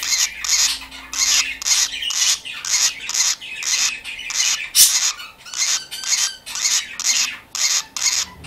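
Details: Baby lovebird kept indoors as a pet alongside parakeets, squawking repeatedly: harsh, broad rasping calls about once every half second in a steady series, with a faint thin tone in the background.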